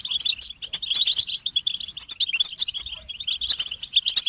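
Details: Goldfinch group twittering meant to motivate males into song, mating and readiness calls: busy overlapping tinkling notes and rapid liquid trills above a constant buzz, bursts repeating roughly every half second.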